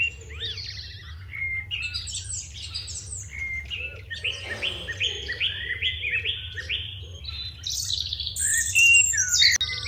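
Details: House sparrows chirping in the morning with a crow nearby: busy overlapping chirps, a run of rapid arched notes mid-clip, faint lower calls, constant low background hum.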